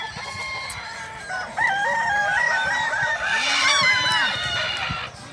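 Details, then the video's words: Balenggek rooster crowing at a crowing competition in Danau Bawah, Solok Regency, on Sunday 6 October 2024: a long crow broken into many stepped, ringing syllables that rise and fall, with other roosters crowing lower behind and a busy crowd murmur. "lomba ayam kukuak balenggek"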